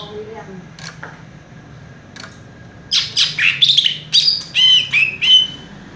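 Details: Cucak ijo (greater green leafbird) on one perch, delivering fast rolling 'raja tembak' song: after a quiet start with a few clicks, a loud run of bright, twisting whistled phrases and buzzy notes fills the last three seconds.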